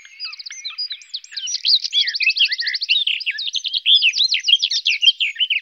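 A garden warbler sings a sustained, even warble of quick, varied notes that runs unbroken for over five seconds, with a brief burst of rapid repeated trills midway.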